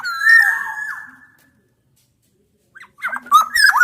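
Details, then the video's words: Challenging a rival, black-naped orioles from Java and Sumbawa, both sexes, mixed as a lure: a long mellow whistled phrase fades out, silence follows, then a burst of short harsh, twisting notes. "kepodang gacor MENANTANG LAWAN ini sangat ampuh membuat agar burung podang gacor nyaut emosi"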